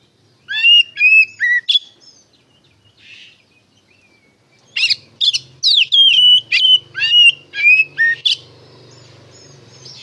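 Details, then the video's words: White-rumped shama song used as a lure to make shamas answer: a run of loud, varied whistled and sweeping phrases, a pause with a faint note, then a dense stretch of rapid rising and falling whistles over a low hum. "PANCINGAN SUARA KACER NGEPLONG GACOR DIJAMIN NYAUT KACER BAHAN"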